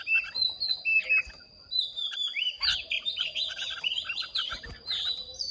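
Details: Caged Red-whiskered bulbuls of Hoà Bình origin, Vietnam, in a singing contest: loud whistled phrases, then a continuous burst of rich warbling and chirps, several birds overlapping, with a constant high electronic tone.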